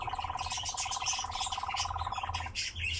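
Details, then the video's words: Captive nightjar's pulsed, purring churr, rapid even beats lasting about two and a half seconds before stopping, among loud, bright chirping of other birds and low background noise. "Пение и танец козодоя"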